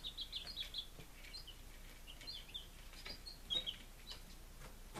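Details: Baby chickens on their fifth day, recorded 23 July 2017 in Lunenburg, Massachusetts: a rapid cluster of piercing peeps at the start, then scattered single cheeps over faint background hiss.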